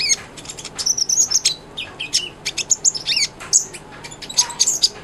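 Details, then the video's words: Sunbird, known locally as kolibri ninja, singing actively; recording offered as a tutor song for a white-rumped shama. High, thin chirps and short whistled slurs tumble in quick, irregular bursts, some notes swooping downward. "SUARA BURUNG KOLIBRI NINJA GACOR/100% COCOK BUAT MASTERAN MURAY BATU"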